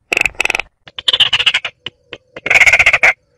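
Baillon's crake giving three dry, frog-like rattles, each a rapid burst of harsh clicking pulses lasting under a second, with brief pauses between.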